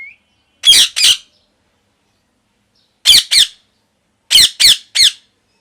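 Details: Loud natural parrot chirping as harsh, rasping squawks in short bursts: a pair, a long pause, another pair, then a run of three, in a quiet room.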